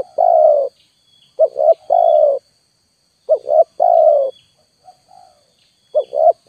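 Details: Spotted dove lure calls: a quick two-note coo leading into a longer, fuller coo, repeated three times with a quiet short coo in a pause; a faint continuous high tone is heard.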